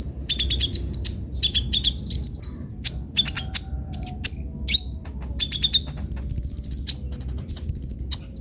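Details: A kolibri ninja sunbird sings energetically: thin, high chirps and descending slurred notes, then rapid rattling trills of short ticks near the end, over a constant faint high tone.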